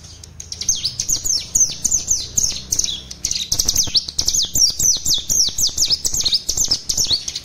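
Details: Captive mutant spotted common tailorbird singing a burst song, kept as a tutor for other birds: fast run of sharp, high downslurred whistled notes repeated several times a second with short pauses.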